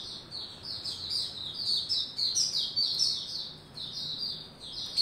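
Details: White-rumped shama warming up into form, 27 December 2021. Its song is a continuous flowing stream of high, clear whistled notes with quick up-and-down inflections, ending in one sharp accented note against a faint low hum.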